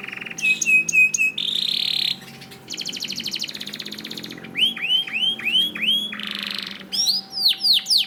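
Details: Training song of a canary for birds slow to sing: alternating sections of steady whistled tones, dense buzzy trills and repeated curved down-slurred notes, high and strongly varied.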